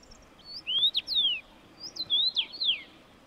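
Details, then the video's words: Common rosefinch giving two clear whistled phrases, each a run of slurred notes that swoop up and down, separated by a short pause of quiet. "Çütre - Common Rosefinch - Carpodacus erythrinus"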